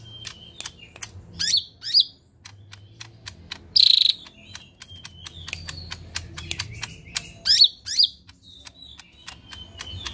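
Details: Lesser green leafbird (cucak ijo mini) in energetic rough-volley song: steady series of sharp clicks and short whistles broken by a few loud, harsh, buzzy bursts every couple of seconds.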